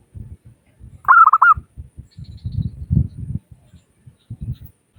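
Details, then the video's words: Local zebra dove call used as a lure to prompt other doves to call: a quick burst of short, clipped cooing notes lasting about half a second, amid low thumping and knocking noises. "Suara Burung Perkutut Lokal Gacor Pancingan Perkutut Agar Cepat Bunyi"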